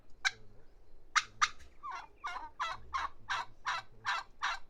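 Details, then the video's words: Turkey gobbling in a series of loud, harsh, rattling bursts, about ten spaced a fraction of a second apart over nearly five seconds, against a quiet background. "Turkey Sound – Hear the Funny & Unique Calls of This Amazing Bird!"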